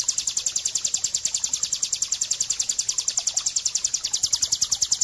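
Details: Bar-winged prinia delivering its 'ngebren' trill, used to train and lure birds: a steady, shrill, machine-gun run of rapid high notes, around seven each second, unbroken for five seconds.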